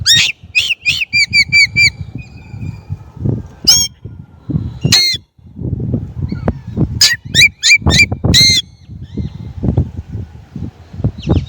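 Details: Chinese blackbird song: bursts of sharp, nasal, honking notes repeated in quick runs, with isolated high downslurred whistles between them, over a steady low rumble of background noise.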